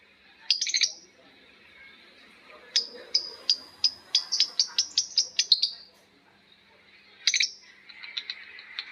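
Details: Lovebirds in long ngekek chatter, several birds answering one another; sharp, high, shrill chirps come in quick runs of about ten notes, broken by short pauses, with fainter chirps in the background.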